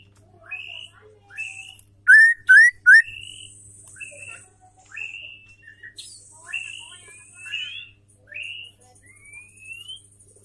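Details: Female white-rumped shama singing to provoke males into song: a series of short, clear whistled notes, some rising and slurred, with a few very loud, sharp whistled bursts near the start and a thin high buzz in the background.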